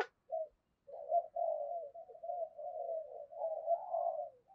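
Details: Spotted dove used as a decoy, giving soft, continuous low murmuring coos, a gentle rolling purr rising slightly toward the end.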